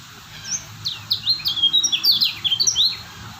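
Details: Kecial kuning white-eye of Lombok, a stable singer, giving a quick, rising-in-intensity series of piercing downslurred whistles and twitters, closely packed in the middle of the phrase.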